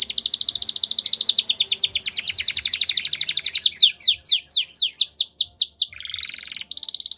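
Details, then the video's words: Canary singing used to train young canaries: a long rapid rolling trill for nearly four seconds, then spaced falling whistles, a brief buzzy note and a final high trill. "The Best Canary Singing For Training"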